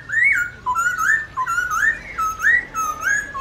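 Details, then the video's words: Black-throated laughingthrush delivering forest-style song for training young birds: a steady string of rising, slurred whistled phrases, each about half a second, loud and clean. "Luyện khướu bạc má hót giọng rừng/Luyện khướu non học giọng rừng cực chuẩn"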